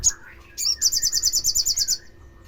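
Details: Olive-backed sunbird provocation call for stirring other sunbirds to sing. A brief high chip and thin slurred note come first, then a fast, even, metallic trill of around fourteen pulses lasting about one second.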